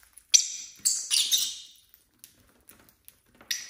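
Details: Six pet lovebirds at home on a Saturday: sharp, high chirps and a burst of shrill, scratchy chatter, then quieter ticks and a final squawk, with small tapping sounds in the background.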